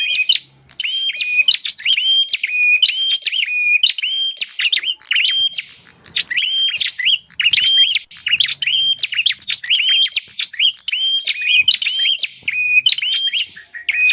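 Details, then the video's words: Bar-winged prinia calls played to attract wild birds: a long, steady stream of sharp whistled notes with rising tails and scattered clicking, barely broken by a few short pauses. "suara pikat burung prenjak"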